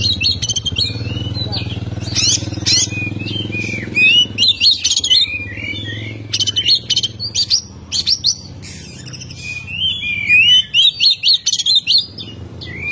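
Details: An oriental magpie-robin delivers the 'ngeplong' song used to make an opponent bird agitated: long, varied high warbling with sharp clicks and slurred whistles in uneven bursts, over a low rumble early on.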